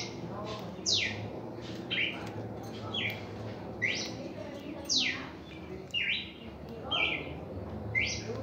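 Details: Singing red-crested cardinal giving a first reaction song: a lively series of steeply falling whistled sweeps alternating with brief buzzy notes, roughly one per second, with a faint low hum and a soft voice underneath.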